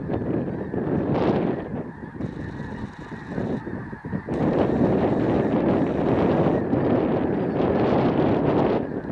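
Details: A large flock of snow geese (Anser caerulescens) landing in a field behind a house fills the air with a dense, continuous din of nasal, high-pitched honks and yelps, overlapping constantly with no pause.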